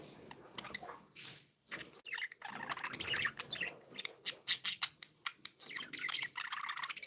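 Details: Happy pet budgerigars chattering, with dense high chirps and scratchy warbles. The calls grow into a rapid clicking run of sharp notes midway, then return to softer chirping.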